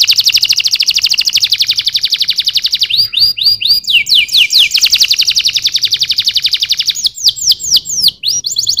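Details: Canary song with a long, very fast high trill, followed by a series of swooping whistled notes, another rapid trill, and closing chirps.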